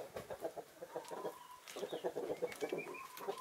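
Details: Chickens of Naked Neck, Marans and Easter Egger breeds enjoying the winter sun, giving a steady stream of short, low clucks in quick bursts, with a few thin higher whistled notes in the background.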